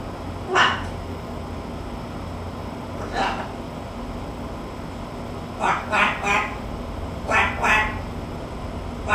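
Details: A talking macaw, prompted to "bark like a dog" and "quack", gives harsh, raspy bursts that sound like barks and quacks. Single calls come first, then quick pairs and triplets, over a steady low room hum.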